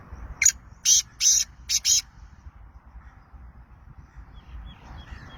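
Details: Black francolin of Sindh delivering a grating call of five hoarse, clipped notes, the middle ones longer, then silence apart from low background rumble and faint high chirps.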